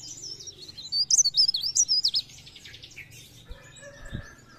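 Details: Chestnut-capped laughingthrush song played as a trapping lure: a quick string of high warbled whistles, then a dry buzzy rattle and lower chatter, with a soft thud near the end.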